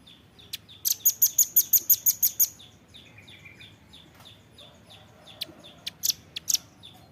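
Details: Velvet-fronted nuthatch singing a fast run of thin, piercing high notes repeated evenly, followed by scattered single sharp calls, recorded for use in training caged birds.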